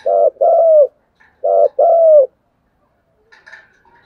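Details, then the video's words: Decoy spotted dove giving vigorous cooing: two pairs of low, hollow coos, each a short note followed by a longer falling one, spaced about a second apart, then faint higher chirps near the end. "Chim Cu Mồi thúc gù sung"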